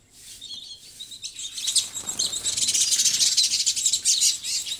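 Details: Busy sparrow chatter: sparse high chirps at first, building into a continuous overlapping jumble of bright, rapid tweets.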